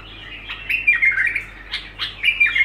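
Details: Bulbul warbling a quick sequence of scratchy, slurred notes with brief clear whistled tones and several sharp upward-sweeping accents, continuous without pause, with a faint background hum.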